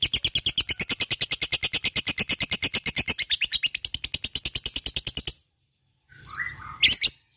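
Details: Fighter lovebird giving full ngekek song: over five seconds of fast, regular, harsh high chatter, ending suddenly, followed by a short pause and a couple of brief squeaky sounds.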